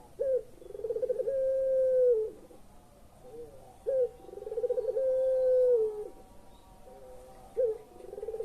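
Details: Puter pelung collared dove, used to lure silent or lazy birds into calling, gives two full coos: a short upward note, a rolling tremolo, then a long steady hooting note, repeated about every four seconds.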